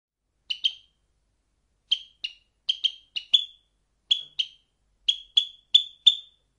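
A sparrow gives about fifteen short, bright chirps, singly or in quick pairs, with brief pauses between bursts against a quiet background.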